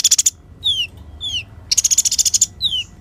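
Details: Olive-backed sunbird (kolibri ninja) in a clear lure recording: rapid high rattling trills alternate with thin, downslurred whistles, and the pattern repeats twice.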